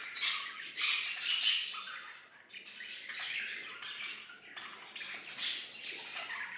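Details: Pet budgies singing and playing: harsh, scratchy chattering bursts and squawks in a busy stream, loudest in the first two seconds, then softer warbled chirps continuing irregularly.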